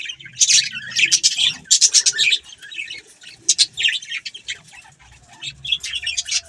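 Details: A flock of budgerigars chirping: busy, overlapping high chatter with sharp clicks and buzzy squeaks, loudest in the first half, with faint low rumbling beneath.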